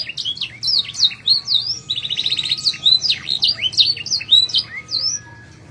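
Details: Canary singing to a female: a lively continuous warble of high sweeping whistles, quick chirps and a short buzzy rattle, with varied notes tumbling one after another, then fading out.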